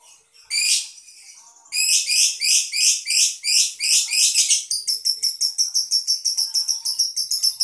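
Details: Collection lovebird from Boyolali, Indonesia in its long 'ngedur' trill: loud rhythmic buzzy pulses at a steady beat, shifting into a faster, thinner, higher trill in the final seconds.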